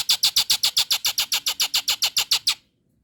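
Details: A female Nias hill myna calling to a male gives a fast run of about sixteen harsh, rasping notes, roughly six per second, then stops abruptly.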